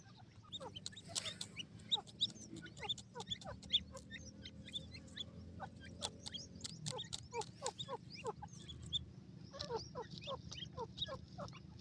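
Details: Francolin (teetar) chicks playing on grass: a dense run of short, high, downward-sliding chirps from several chicks, quick and overlapping, over a steady low background hum.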